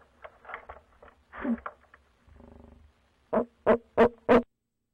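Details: Barred owl at night on 6 February 2019, by a nest box that squirrels occupied all night: scratchy rustling and a low buzzing noise come first, followed by four clear, evenly spaced deep hoots.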